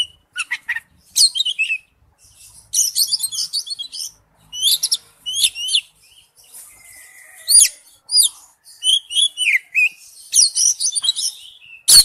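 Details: Oriental magpie-robin performing forest-style song: repeated bursts of quick, sharply rising and falling whistles and thin high chips, separated by short silences, with a faint low whistle mid-way.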